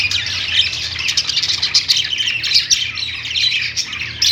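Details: Continuous warbling from a group of perched budgerigars in a pet store, busy chirps and harsh squawks blending into an unbroken chatter, with a low background drone.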